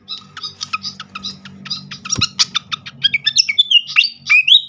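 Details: Lure song of a srikatan flycatcher, meant to trigger singing: evenly spaced sharp chip notes speeding into twisting whistled slurs, over a steady low hum and a single thump.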